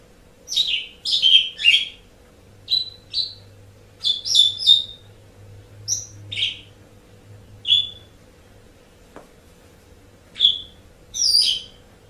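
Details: Asian pied starling tutor recording for pet songbirds: scattered bursts of sharp squeaky whistles and chattering notes with irregular pauses, a soft hum running underneath.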